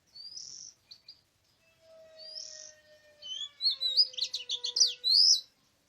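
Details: Oriental magpie-robin singing in the wild forest, 24/03/2017: clear, high whistled phrases separated by pauses, building into a quick jumble of sharp chirps and trills, with a faint, steady low tone in the background.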